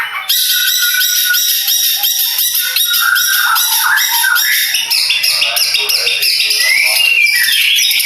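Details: Madura long-tailed shrike, a contest bird, delivers a steady, fast, rasping rattle of evenly pulsed notes, shifting into varied squeaky phrases and a high whistled slur.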